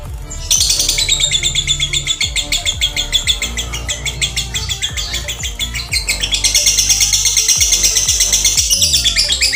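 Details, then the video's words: Lovebird, male or female, singing the tune said to mark a future 'konslet' long continuous singer: a dense, fast stream of high, buzzy chirps and trills that stops briefly near the middle, then resumes even thicker. Low tonal sounds, possibly music, run underneath. "Nada burung lovebird yang bisa konslet baik jantan atau betina"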